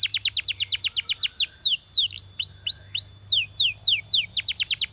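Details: Belgian canary singing to draw other canaries into song, rapid descending chirps, then varied looping and rising whistles, returning to quick repeated downslurred notes.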